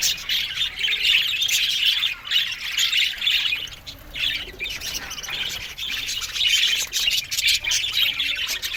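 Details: Aviary flock of Australian budgies giving rapid overlapping chirps and squeaky warbles, in pulsing bursts roughly twice a second with brief lulls.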